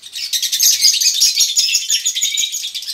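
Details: Male and female konslet lovebirds in a colony sing ngekek, a prompt for other lovebirds. Loud, dense, high-pitched twittering with quick sharp notes fills the whole stretch.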